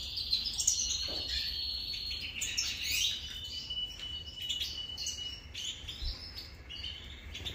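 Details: A European goldfinch at breakfast gives quick, tinkling, high-pitched twittering calls, several per second in loose bursts, over a low background hum.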